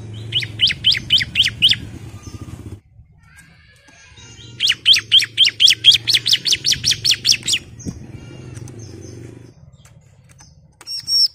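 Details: Female ciblek (bar-winged prinia) calling the male, used as a lure to make males sing: two bursts of rapid, evenly repeated high chirps, about six then fifteen notes, with a steady low hum underneath and a brief high note at the end.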